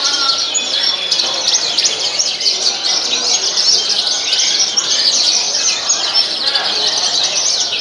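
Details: Horsfield's bush lark (Mirafra javanica) at a songbird contest in Tasmalaya, 6 June 2021, pouring out a dense, high, scratchy warble of rapid chirps and trills, several singers overlapping over faint voices.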